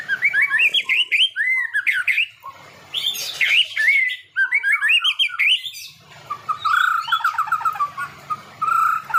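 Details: Rich, continuous white-rumped shama song of fast varied whistles and warbled phrases, broken by short pauses, later a rapid rattling run of short repeated notes and a final drawn whistle.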